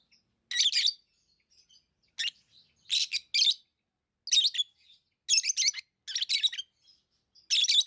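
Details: Pet lovebirds chirping: loud, harsh, broadband chirps in short bursts and paired notes, spaced about a second apart, with faint softer twitters between; no other sounds.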